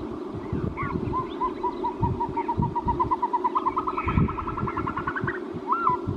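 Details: Caspian snowcock delivering an accelerating series of short whistled notes that rise slightly and grow louder, ending with a curling whistle, over a persistent low rumble.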